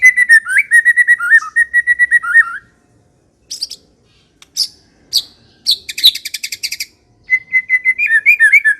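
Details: White-rumped shama in lively ngekek song: rolling whistled phrases with wavering slurs, scattered sharp high notes, a fast burst of dry chips, then more fluty whistles.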